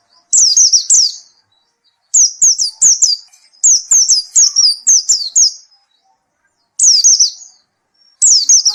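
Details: High, clean white-eye song: short clusters of sharp down-slurred chirps, two to five per phrase, spaced by silent pauses of about a second.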